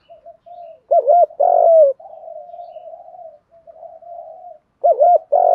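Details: Spotted dove coos, male and female, used to stir wild-caught doves into cooing: two loud phrases, each a short double hoot followed by a fuller sustained note, separated by quiet low murmuring.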